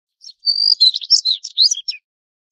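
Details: Daurian redstart gives a brief phrase: a thin, steady high whistle, then a rapid jumble of high twittering notes and a final down-slurred note, all within about one and a half seconds against a quiet background.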